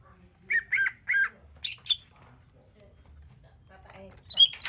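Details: Greater green leafbird singing, used to coax other birds to sing: three quick slurred whistles, two sharp high notes, a quiet pause, then a burst of bright high chirps at the end.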